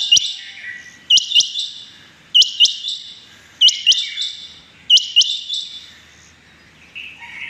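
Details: Morning rain quail calls, 6 July 2021: loud, high paired 'whit-whit' notes repeated in a regular rhythm about every 1.2 seconds, ending with softer notes.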